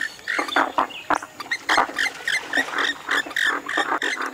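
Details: Western swamphen calling in rough, nasal, grunting bursts of uneven length, delivered in quick irregular succession with sharp clicks between them.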